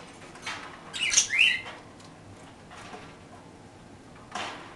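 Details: Parakeets eating toast, giving a quick burst of shrill, squeaky chirps, loudest around the first second, with a few softer scratchy notes and one brief chirp near the end.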